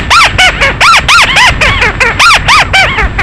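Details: Bird (chim mắt xéo), recorded as a night lure: loud, arching squealing notes with rich overtones, repeated about four times a second in an uneven rhythm.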